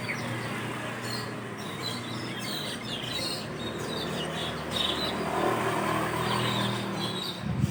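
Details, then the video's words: Asian glossy starlings gathered in a large group at their leafy roosting tree in the early morning just after dawn, giving a steady stream of sharp, high chirps and squeaky notes, with a low rumble of passing traffic underneath. "SUARA BURUNG PERLING ATAU CUCAK HITAM MATA MERAH"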